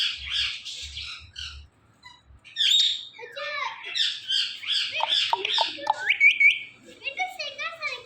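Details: Green talking parrot kept as a pet, talking nonstop in a run of speech-like phrases mixed with shrill squawks and a rising whistle, with brief soft thumps early on.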